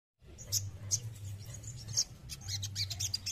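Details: Male crested jay giving scattered sharp high chirps and short clicks at irregular intervals, with a steady low hum running underneath throughout.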